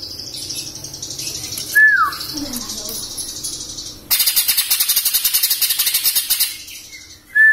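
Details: Greater green leafbird, a young bird just past the fledgling stage awaiting its moult, gives a slurred, falling whistle, then a loud, harsh, rapidly pulsed buzzing burst of about two seconds, and a brief high whistle.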